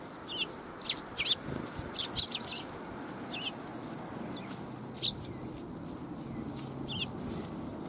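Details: Sparrows coming to be fed at a Tenmangu shrine on 1 January 2021: short sharp chirps scattered irregularly, about once a second, over a steady low background hum.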